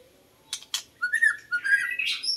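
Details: White-rumped shama song used to lure birds: two sharp clicking notes, then a run of clear whistled phrases that rise and fall, with a few rough, scratchy notes near the end.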